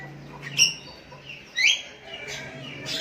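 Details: A sooty-headed bulbul calls out to a decoy rival with two short whistled notes about a second apart, the second rising sharply, over a low steady hum.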